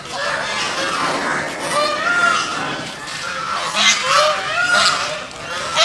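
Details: Geese swimming on a pond give repeated nasal, harmonic honks, several overlapping, with rising and falling inflections across six seconds against steady background noise.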